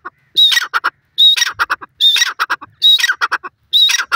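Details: Lalo teetar, a francolin, calling repeatedly: a clear whistled note near the start of each phrase followed by a rapid run of harsh, grating clicks, with phrases repeating roughly every 0.9 seconds.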